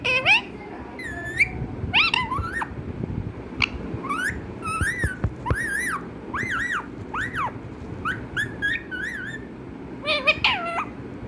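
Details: Pet parrot at home calling with a series of whistled, bending meow-like notes and short chirps, repeated irregularly through the recording over a low background rumble.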